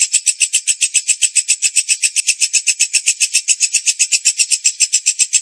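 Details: Lovebird singing a long, unbroken buzzy chatter of rapid harsh pulses repeated at an even rate, roughly four per second, high-pitched and dense throughout.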